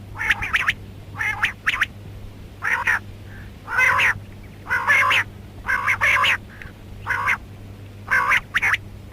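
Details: Harsh, nasal squawks from a female rain quail, single and doubled bursts at uneven spacing about a second apart, with a soft low note or two between, over a steady hum; mixed karkari recording.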